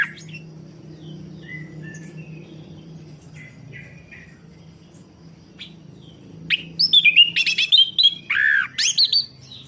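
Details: Singing orange-headed thrush, a recording meant to stimulate a bird that has stopped singing: quiet scattered notes, then a rapid loud run of varied whistles, trills and slurred phrases over the final three seconds.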